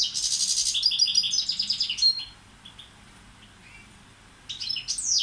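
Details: European goldfinch of the Balkan subspecies balcanica, a tutor bird, sings a dense two-second burst of bright twittering and buzzy notes. After a quiet pause, a sharp high twitter returns at the end.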